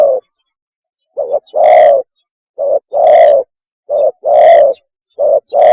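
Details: Strong, gravelly spotted dove coos given as a mating call, short and long notes alternating at a steady rhythm, four pairs within a few seconds. Clean background.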